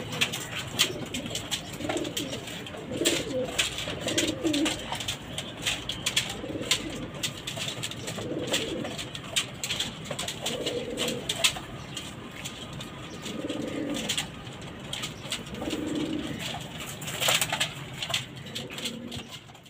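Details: Pigeons kept on a house rooftop, possibly while feeding, give soft, low, throaty coos in repeated bursts over a steady background of clicks and rustling.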